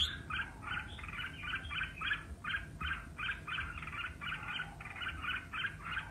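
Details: Red-whiskered bulbul singing competitively, rapid series of short chirpy warbled notes at a steady quick pace over faint background hum.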